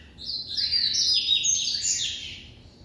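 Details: Captive white double-collared seedeater, classic song style, delivering a rushed, buzzy run of high chirped notes that rises and falls over about two seconds against a quiet background.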